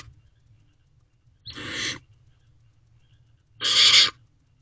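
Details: Barn owl owlets in a nest box at midnight on 21 May 2023, allopreening while they wait for food. Two harsh, noisy hissing screeches, each about half a second long, are separated by roughly two seconds of near silence over a low background hum.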